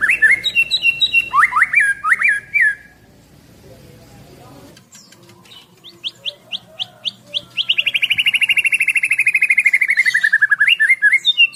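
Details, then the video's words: Caged Medan white-rumped shama, an 11-month-old male, singing: looping rising whistles, a quiet pause, then quick sharp notes and a long rapid trill that slides gradually downward. "Merdunya Suara Murai Batu Medan Super"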